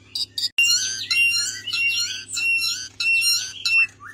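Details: Javan pied starling song used as a tutor recording: a fast, varied run of high whistles, chirps and buzzy notes with brief pauses, over a steady low hum.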